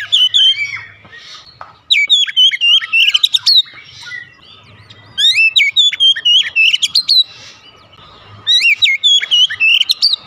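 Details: Kacer, the Oriental magpie-robin, in a song meant to coax a reluctant singer: three loud bursts of rapid, sweet whistles and clicks, each about a second and a half long, with quiet gaps between them.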